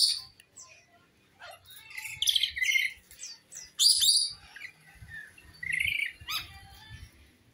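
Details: Rainbow lorikeet used as a lure for a lorikeet that has escaped: scattered shrill squeaks and harsh screeches of varying loudness, with a faint low rumble underneath.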